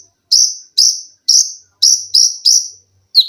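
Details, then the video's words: Olive-backed sunbird (konin) cage bird giving a short string of strong, shrill high notes. About two per second, each bright and slightly arched, ending in a lower downslurred chip. "TERAPI KONIN GACOR FULL TEMBAKAN RAPAT!!!MESIN JAHIT,LENGKINGAN DAN BESETAN."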